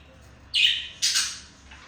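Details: Male budgerigar courting a female indoors; two short, harsh squawks about half a second apart, the second brighter and noisier.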